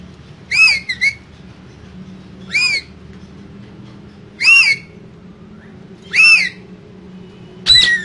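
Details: Two green parrots in a cage, talking: harsh arched squawks with rich harmonics, five bursts spaced about two seconds apart, each short and nasal, over a low steady room hum.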